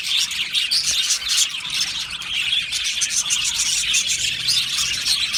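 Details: Aviary colony of Australian budgies chirping and singing: a thick layer of rapid high twitters, with brief clear whistled notes rising above the constant group chatter.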